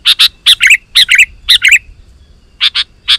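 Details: Sooty-headed bulbul singing to lure wild bulbuls into replying; clusters of loud, bubbly paired notes with short warbles, a pause, then more sharp chirps.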